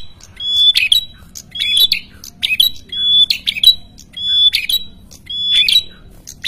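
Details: Red-headed prenjak in energetic, noisy song used as a lure for wild birds. Steady high whistled notes alternate with harsh, scratchy bursts, repeating roughly every second with short pauses. Background is fairly quiet.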